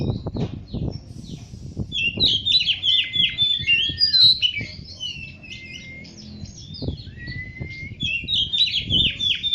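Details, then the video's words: Oriental magpie-robin (kacer) singing sweetly: a continuous stream of varied high whistles, twittering trills and slurred notes, with steady low thumping and rustling noise underneath throughout. "Kicau merdu si burung kacer"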